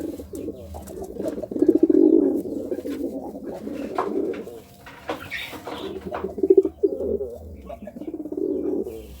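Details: Courting pigeon cooing: low, throaty rolling coos in bursts about every two to four seconds, the loudest swell near the start, with soft clicks and a faint higher chirp between phrases.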